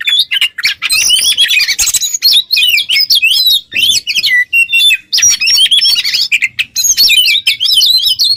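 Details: Kacer song, the Oriental magpie-robin, used to teach other songbirds: long fluent runs of varied whistles, rapid trills and scratchy chatter, with short pauses between phrases.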